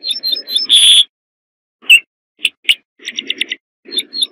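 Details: Corn bunting song: short bursts of high, bright chirps and ticking notes, including a quick run of jangling notes and a louder sustained high note, broken by brief silences.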